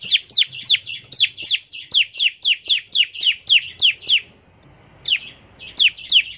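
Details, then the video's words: Bar-winged prinia in fast 'ngebren' song, used to prompt prinias to sing: a long run of about a dozen sharp downslurred chirps at roughly three per second, a pause, then more notes. "ciblek gacor, nembak NGEBREN untuk pancingan ciblek agar cepat bunyi"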